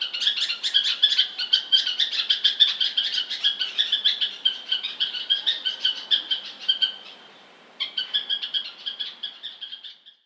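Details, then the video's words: Bulbul chattering in quick, high, repeated chirps for about seven seconds, a short silence, then another burst of rapid chirps fading out at the end. "Bulbul Bird Sound (Audio)🐦🎶 | Birds Chirping Sounds"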